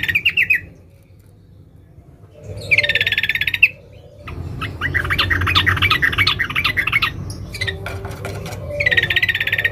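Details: Sooty-headed bulbul female calling a male, ngeriwik rapat style: brief rapid trills alternate with bursts of scratchy, jumbled chattering notes and short silent gaps, with a low background hum.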